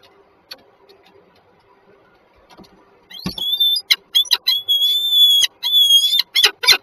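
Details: Peregrine falcons meeting on a rooftop ledge in Żerań, Warsaw, Poland, on 14 January 2023: after a quiet start, loud, drawn-out, harmonic wailing calls begin at about three seconds, broken by short sharp notes, with faint room noise.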